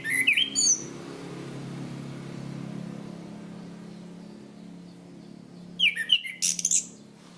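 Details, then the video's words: Chestnut-capped thrush (anis kembang, punglor) singing as a training recording for cage birds, in a ringing ngeplong style: bright whistled, slurred notes in a short burst, then a long pause over a low hum, then another burst of high, twisting phrases. "Masteran Anis Kembang | Punglor Gacor Ngeplong Mantap"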